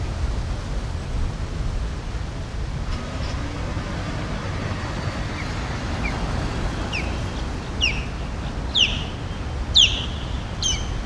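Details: Osprey in Palm Beach, Florida, giving short piercing whistled notes from about seven seconds on, roughly one per second and gaining in strength; before that, only a steady low rumble like traffic or surf.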